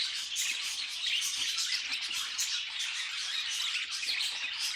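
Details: Pet budgies sing in a thick, unbroken chatter of buzzy chirps and squeaks that stays loud and steady from start to finish.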